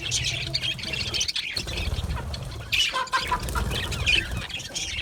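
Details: Australian budgie colony in an aviary giving scratchy high chirps and squawks over a noticeable low rumbling background.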